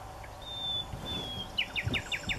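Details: A common nightingale, perched high and in the open on a tamarisk branch, sings two long, pure high whistles, then a fast run of five sharp, down-slurred notes; low background rumble.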